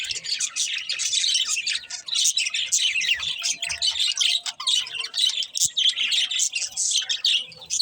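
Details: Budgerigars chirping nonstop, a dense run of high scratchy warbles and rapid tweets with barely a pause.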